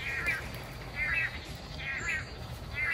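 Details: A Long-tailed Manakin in Costa Rica in March, a dancing species seen performing as a pair, gives its call: soft, mumbling warbled notes in short bursts about once a second over a low background rumble.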